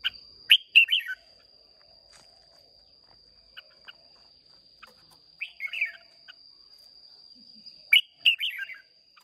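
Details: Red-whiskered bulbuls from Hòa Bình, Vietnam, singing in a contest, recorded close up on 30 May 2023: brief bursts of bright warbled notes separated by long silent gaps, over a constant thin high hum.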